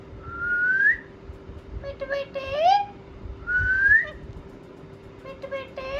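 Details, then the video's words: Talking ringneck parakeets respond with two clear rising whistles separated by quick, chattering speech-like syllables, one ending in a sliding vowel-like note, then more short chatter over a low hum. "Parrot Talking | Ringneck Talking Parrot | Funny Parrot Sound"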